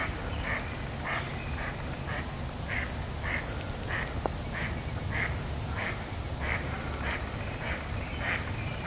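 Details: Hidden from view, a duck quacks repeatedly in a long run of about fourteen brief, nasal notes over a noisy outdoor background.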